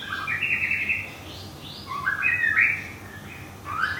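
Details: White-rumped shama kept in Thailand (Thung Song bird), newly moved and finishing a moult, delivering rich warbled whistles in short rising phrases separated by brief pauses, with faint low hum behind.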